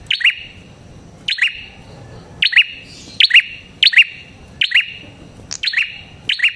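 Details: Luring call of the prinia called prenjak kepala merah: bright, ringing double chirps given in uneven groups, some closely paired, with short silent gaps between bursts.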